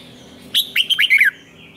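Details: Red-whiskered bulbul competition song: a single quick phrase of five clear, rolling whistled notes ending on a falling slur, then a soft trailing whistle.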